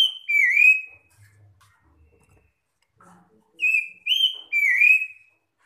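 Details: Magpie-robin (kacer) giving loud, clear whistled phrases that slur down then rise, about six notes in two bursts with a pause between; a calling bird used to provoke other magpie-robins into song.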